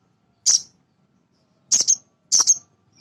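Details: Male sunbird (sogon) whose voice serves as a lure for untrained birds: one sharp high chirp, then after a pause two quick doubled chirps close together.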